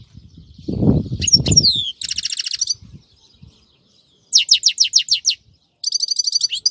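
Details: European goldfinch singing in a Friday recording from 2018: a few sweeping high whistles, then quick buzzy trills and runs of sharp repeated notes, with low rumbling thumps near the start.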